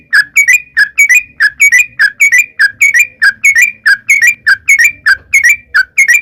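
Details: Yellow-vented bulbul female calling a male, a long 'ropel panjang' song used as a lure to make wild birds answer. Evenly spaced, bright, upslurred whistled notes, each doubled, repeat steadily throughout.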